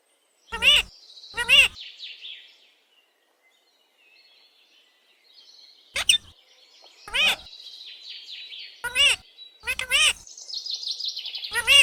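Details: Talking pet parrot calling mummy for roti: a series of loud, short, raspy, speech-like bursts repeated at irregular intervals, with quieter high chirping and twittering between them.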